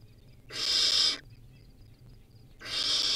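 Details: Wild barn owl chick at the nest, feeding on a rodent, gives two strong breathy hisses about two seconds apart, quiet in between.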